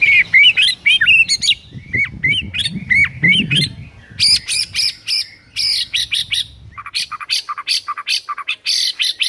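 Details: Morning white-rumped shama training song meant to provoke rival birds: quick looping whistled notes, then fast repeated sharp chipping bursts, about three to four per second, with low rumbling noise early on.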